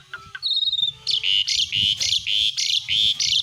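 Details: Asian pied starling singing besetan: a few thin whistled notes, then a dense series of loud, harsh, buzzy chatter bursts repeated rapidly to the end.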